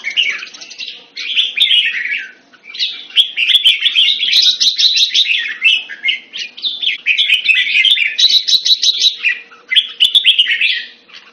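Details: Jambul, the red-whiskered bulbul of the bird hobby, delivers long bursts of quick, chattering warbles with brief gaps between phrases, over a faint constant hum and some clicks.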